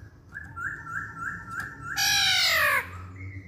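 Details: Masked laughingthrush singing actively: a row of soft, evenly spaced, down-slurred whistles, then a loud, harsh, rich-toned squawk lasting nearly a second, with faint indoor hum.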